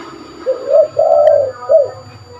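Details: Spotted dove, a prolific caller used to lure birds: one three-part coo, a short rising note, a long hoarse rolling middle note and a brief closing note, with faint background hum.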